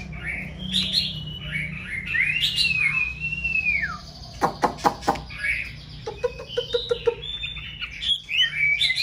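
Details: Female white-rumped shama singing ahead of the breeding season to excite a male: long clear descending whistled slurs, then a run of loud sharp knocks, followed by brighter twittering whistles over a low hum.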